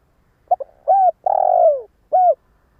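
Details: One cooing phrase from a decoy spotted dove used to lure wild doves. Two quick clipped notes, a rounded coo, a long trembling coo that falls in pitch, and a short curved ending coo.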